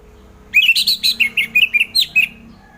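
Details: Orange-headed thrush song meant to encourage lazy thrushes to sing in the morning: a fast, jumbled stream of short whistled and chirping notes, about a dozen in two seconds, over a faint low hum.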